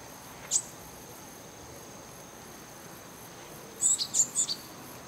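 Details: Japanese tit perched in a tree, feeding on something while calling: a single thin, very high note, then a quick burst of four sharp, high tsee notes, over a steady insect-like drone.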